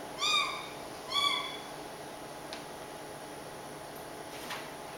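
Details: A pet Caique, which meows like a cat when nobody is around, gives two nasal, cat-like meows about a second apart, each rising then falling slightly, followed by faint clicks and quiet hiss.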